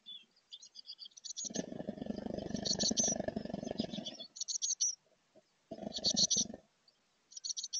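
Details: Chickadee nestlings close to fledging in a birdhouse in 2024 give high, thin, rapid chirping bursts in clusters of about a second, mixed with loud muffled rustling and thumping as they test their wings in the box.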